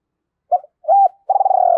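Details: Decoy spotted dove's fight-provoking call: a short coo, a flat-topped coo, then a long rolling croo that is cut off as it begins to fall. Nothing else is heard.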